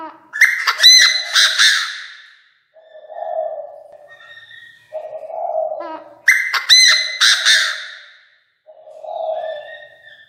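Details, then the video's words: Chinese francolin decoy calling to the flock: two loud, harsh, rapid multi-note bursts about six seconds apart, each with ringing harmonics, separated by softer low droning notes. "Tiếng chim đa đa gọi bầy chim đa đa mồi gáy cực căng"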